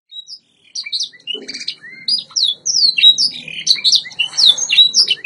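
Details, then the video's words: White Yorkshire canary singing a training song: scattered high whistles and short sweeps at first, then a dense stream of downslurred notes and buzzy trills, with soft low noise underneath. "White Yorkshire Canary Singing TRAINING CD vol. 2"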